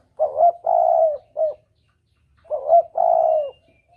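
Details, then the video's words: Spotted dove calling clearly as a lure, 'kuk dobel' style: two loud phrases about two seconds apart, each a short note, a long drawn coo and a brief final note, in near silence. "Suara pancingan Tekukur || suara pikat tekukur || mp3 suara tekukur jernih"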